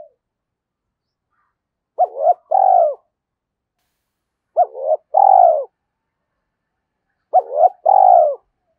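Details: Spotted dove cooing as a lure call, in Vietnam: three identical low phrases about every two and a half seconds, each two quick hoots and a drawn-out falling coo, against a silent background.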